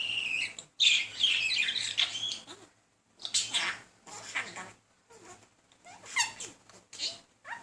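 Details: Male talking budgerigar kept as a pet keeps chattering at a female he is courting, unsuccessfully; loud bursts of harsh, buzzy warbling and speech-like mumbles, broken by short silences and a few thin rising whistles.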